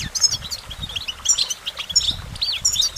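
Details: Goldfinch giving short clear whistled and twittered notes, some slurred downward, in quick scattered bursts.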